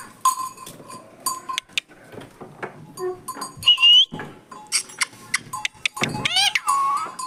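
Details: Green parrot talking in a maize field; quiet stretches broken by a brief rising whistled note and then a loud, harsh, sweeping squawk near the end, over a background of soft ticking clicks.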